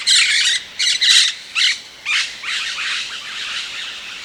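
Rose-headed parakeet giving harsh, high screeching squawks: four quick bursts in the first two seconds, then a steadier run of overlapping raspy chatter.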